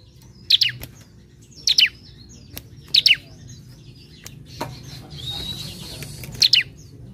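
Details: Relaxed, moderately active bar-winged prinia song meant to lure others into singing, built from quick high paired chirps recurring roughly every 1.2 seconds, one soft buzzy hiss, and a low steady background murmur.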